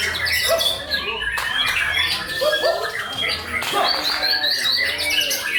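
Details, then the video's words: Prize-winning white-rumped shama in full song: loud whistled phrases broken by harsh squawky notes and rapid trills, with short pauses between bursts and a constant layer of other bird chatter and faint talking behind. "Muray batu juara"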